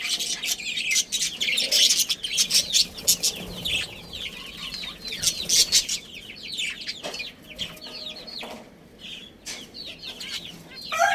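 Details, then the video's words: Pet budgies, a breeding pair, keep up dense high chatter of trilled twitters, scratchy notes and rapid chirps, loudest early on, then softer and more scattered. "Cute Budgies Chirping Sounds"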